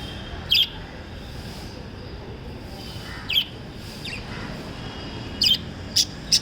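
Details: Lovebirds chirping: isolated sharp high chirps with long gaps, then a quick run of three near the end, over soft steady background noise.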